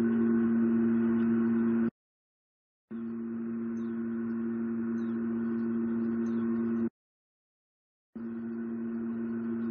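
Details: A steady low humming drone with gong-like overtones cuts out twice into full silence before resuming, and no animal sound is heard.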